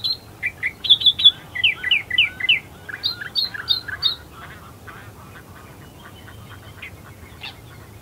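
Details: Australian Reed-Warbler singing in reeds at dawn, Herdsman Lake, Perth, Western Australia: a lively burst of sharp high chirps and repeated slurred notes for about four seconds, followed by softer, scattered chirping from other birds.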